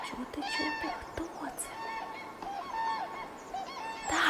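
Cranes give loud, rolling, trumpeting calls, several overlapping in quick succession over about four seconds, with a brief burst of noise at the end.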